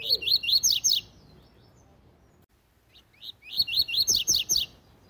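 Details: "Tui tui zel zel" song of a Double-collared seedeater, meant for teaching young birds. There are two bursts of rapid, ringing upslurred whistles, each about a second long, separated by a silent pause of roughly two seconds.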